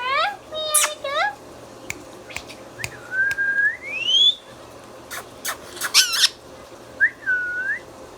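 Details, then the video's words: Talking pet Indian ringneck parakeet giving a nasal speech-like phrase, then a long rising whistle, harsh squawk bursts and a final dipping whistle, with a person speaking softly afterward. "Mithu Mithu Bolne Wala Tota | Indian Ringneck Parrot natural Sounds"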